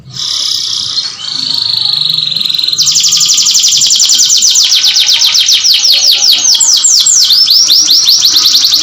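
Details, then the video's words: Breeding-stimulation canary song: a held buzzy high tone shifting to a lower note, then a long, even series of fast rising sweeps repeated several times a second, loud and continuous. "FISHING MATING CANARY"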